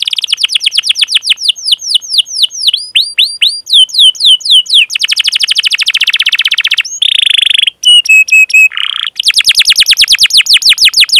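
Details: Canary chirping song used as a training recording for young canaries: rapid downslurred chips in long runs, dense rolling trills, a loud steady buzzy note and sharp whistled notes, then more fast chip series.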